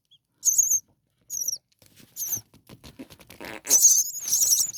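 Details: Baby common starlings in their nest wanting food give short shrill squeaky bursts, sparse at first, then a longer run of overlapping high wavering cries, with faint rustling and scuffling.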